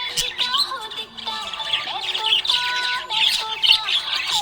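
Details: Happy budgerigar chirping: a dense, busy stream of rapid high twittering chirps and warbles, with sustained lower melodic tones running steadily underneath.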